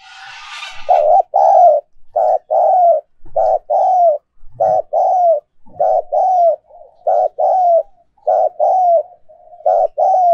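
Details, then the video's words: Spotted dove coos used as a decoy to encourage cooing: after a brief rustle, a long rhythmic series of low, hollow coo phrases, each a short note plus a longer slurred one, repeated roughly every 1.3 seconds. "Tiếng Chim Cu Mồi Mp3/ Âm Thanh Chất Lượng Cao Dùng Kích Bổi Siêng Gáy"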